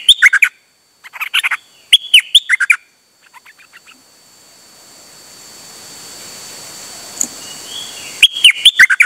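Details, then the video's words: Dok taeng bird, 8 September 2023, singing steadily on an outing: short bursts of crisp, clipped notes in the opening seconds, a long quiet stretch with hiss, then another sharp burst at the end. "เสียงนกดอกแตงEp.187 จ้าวขันเงิน นานๆออกเที่ยวสับไม่หยุด!!"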